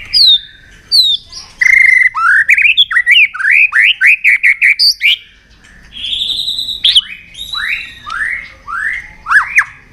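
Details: White-rumped shama provoked into fighting song: a long, energetic run of repeated rising whistled notes and varied phrases, with short gaps and rapid series of looping notes.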